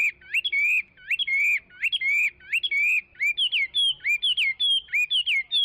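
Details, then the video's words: Dense, varied song of a Chinese hwamei, mixing rising slurs, held whistles and higher upturned notes in a continuous flowing stream. "ساعه من تغريد طائر الخوامي Chinese Hwamei"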